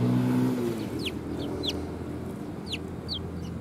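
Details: Sparrows approaching to be fed at a Tenmangu shrine in December 2020: four or five quick high chirps, each sliding downward, after a brief droning engine-like tone at the start.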